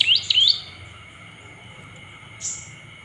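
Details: Olive-backed tailorbird calling to provoke other birds into lively song: a rapid run of three upswept, high chirps in the first half-second, then a fainter single note near the end, against a constant electrical-sounding hum.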